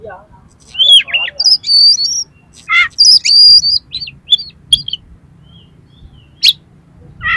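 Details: An oriental magpie-robin sings a harsh-filled song meant to provoke another magpie-robin: buzzy twisting whistles, a long bright sustained phrase, then short clipped notes and two isolated sharp chips later on.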